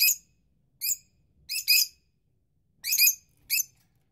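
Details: Young rosy-faced lovebirds and incubating parents give six sharp, shrill chirps in small clusters, some doubled, with clean silence between them.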